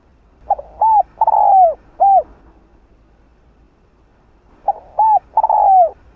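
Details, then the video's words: Spotted dove calling a female, kept to lure wild birds. Two identical deep, hollow cooing phrases about four seconds apart, each a short note, a rounded coo, a long falling croo and a final coo. "Cu gáy GÁY GỌI 1 HẬU"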